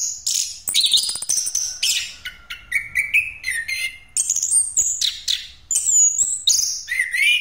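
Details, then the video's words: Orange-headed thrush delivering 'ngeroll' song meant as a lure: rapid medley of high sharp whistles, dry ticking chatter and rising slurred notes with barely a pause across several seconds. "Anis Kembang Pastol Ngeroll Buat Pancingan"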